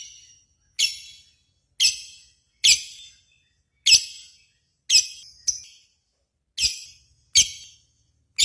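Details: Lovebird contest lure audio: a series of sharp, harsh, high chips roughly once a second, one brief faint whistle at the start.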